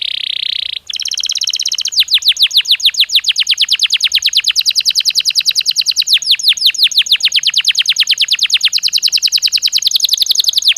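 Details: Belgian canary singing naturally, used as daily stimulus for training other canaries: a brief steady high tone, then long rapid trills of downward-sweeping whistled notes, very fast and even, loud and clear.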